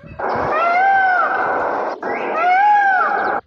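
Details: Two long, loud, harmonic peacock wails, each rising and then sagging, with a harsh, noisy, strained edge and a short break between them.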